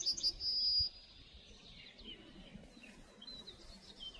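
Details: Male Yellowhammer singing from a pine in forest surrounding Novaraistis: a few short high notes then a drawn-out high whistle, followed by quiet background with faint distant chirps.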